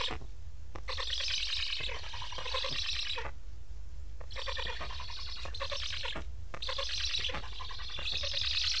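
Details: Unfed Black stork young at an Estonian nest beg after parents carrying transmitters depart without feeding; long rhythmic, buzzy, rasping bursts of several seconds alternate with brief pauses over steady background hiss.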